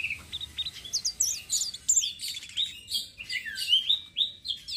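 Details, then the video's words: Flowerpecker, the citrine blue-shawled type, in rolling song used to lure other birds: a fast, continuous run of very high, sharp, twittering notes and short slurred whistles. "BURUNG TLEDEKAN SITRUN SELENDANG BIRU NGEROLL||BISA BUAT PANCINGAN"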